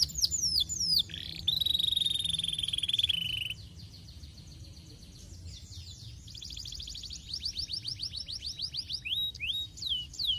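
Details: Pet canary singing on a training master recording for making canaries sing energetically; high sweeping notes, a steady buzzy drawn-out tone, a quieter stretch, then fast repeated trilled phrases over a faint low background hum.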